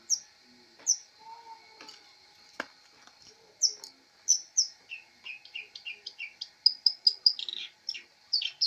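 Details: Long-tailed shrike as a master bird, labelled a fighter, giving scattered high chirps and short whistled notes, then quickening into a run of rising and falling chirps in varied pitches.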